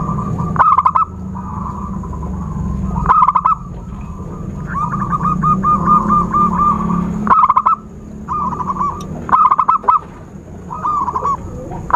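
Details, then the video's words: Zebra dove lure call for bird trapping: short, stuttering pulsed bursts recur every two to three seconds over a busy background of softer chattering notes, low rumble and a constant thin high tone. "Suara Khusus PIKAT burung Perkutut/Merbuk"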